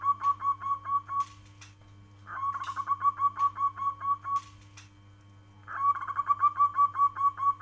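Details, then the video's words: Zebra dove of a local strain giving repeated cooing phrases, each a rapid string of soft, rounded notes at one pitch trailing off, three phrases in turn, with a constant background hum. "Suara panggilan perkutut lokal alam kristal"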